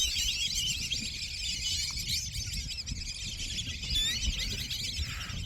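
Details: A dense, continuous chorus of high, squealing whistles from several hundred Black-bellied Whistling Ducks calling at once on either side of a road, over a low rumble of wind or traffic.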